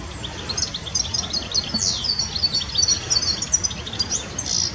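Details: Singing European goldfinch from the Iberian Peninsula delivering rapid, liquid twitters mixed with a harsh descending buzzy note midway and a rasping burst at the end, notes tumbling together in quick succession over faint background noise.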